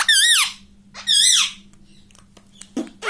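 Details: ['Pet ring-necked parakeet saying "mummy": two loud, buzzy, arching syllables about one second apart, followed by quiet and a few soft clicks and a short squeak at the end; faint hum throughout.']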